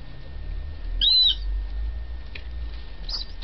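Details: Yellow-legged gull chicks kept at a home a few days after arrival, already fully recovered; one loud, thin, high arched peep, then a fainter second peep near the end over a quiet low background hum.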